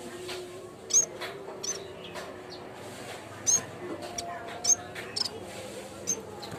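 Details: Lure recording of a bamboo warbler for training birds: scattered, very high, short whistled notes, sharp and thin, sometimes in quick pairs, over a low steady hum and faint background hiss.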